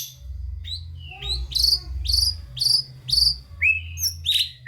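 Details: White-rumped shama in vigorous song full of fill-ins, meant to set lazy shamas singing: a rhythmic series of bright, high, downward-slurred whistles, roughly one every half second, ending in lower whistled notes.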